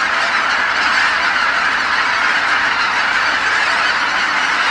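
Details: Evening return of geese to Kabukuri-numa marsh, a huge flock calling in unison; thick, even chorus of honks with no pauses.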